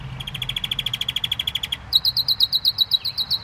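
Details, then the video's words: Canary song in two trilled sections: first a fast string of clipped high notes, then a higher, slower series of sharp chirps repeated about seven times a second. "Best canary singing"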